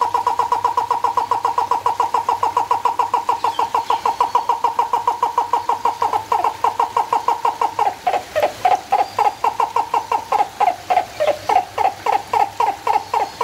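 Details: A turaco at San Diego Zoo Safari Park on 10 November 2020 gives a long run of low, hoarse, barking notes, about three a second, growing louder and more ragged toward the end.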